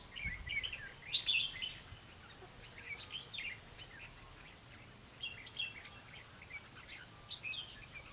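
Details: Red-whiskered bulbul, a lure bird in a trapping setup, recorded in November 2016: repeated short chirpy warbled phrases in bursts, somewhat masked by outdoor background noise and faint low rumbling.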